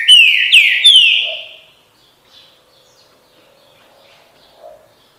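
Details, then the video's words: A green-winged saltator sings three loud, clear whistled notes, each slurring downward, in a quick phrase; only faint background sounds follow. "canto trinca ferro bom dia seu chico"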